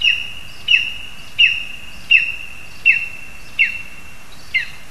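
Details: Lesser spotted eagles in a spruce in Zemgale, Latvia, with a frog for the youngster; clear, high, piercing yelps, each dropping at the end, repeated regularly about every 0.7 seconds over a quiet background.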